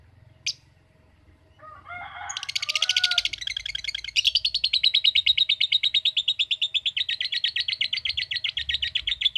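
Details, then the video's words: Lovebird kept as a pet, answering a calling recording with a long chattering trill (ngekek panjang): a few short notes, then a rapid run of buzzy pulses about six per second, held for over six seconds. "Cara Cepat Memanggil Love Bird Agar Ngekek Panjang"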